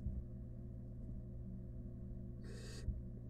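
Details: Barn owl, wild, in a research nest box holding a rat. A single rasping hiss of about a third of a second breaks a low, constant background hum near the end.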